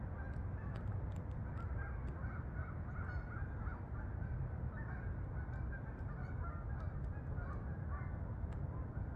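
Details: Geese in flight to the fields over meadows of Farmington, Connecticut; a chorus of overlapping honking calls runs continuously, half masked by loud low-pitched rumbling background noise.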